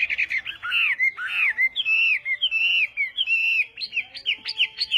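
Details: Chinese hwamei singing in a contest during morning voice training: long fluid whistled phrases with looping slurs and warbles, followed by short sharp repeated notes.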